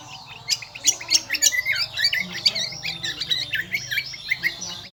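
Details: Lombok kombo, a bird endemic to Lombok island, singing shrill, loud song: rapid jumbled high whistles and chattering notes in quick bursts, with a steady low hum underneath.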